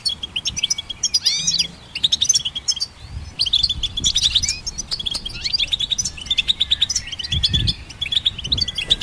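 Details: Goldfinch hybrid song used to train songbirds: fast, high twittering of short chirps, buzzy trills and rising whistled slurs, several overlapping phrases with brief pauses near 1.7 and 7.7 seconds, faint low rumble beneath.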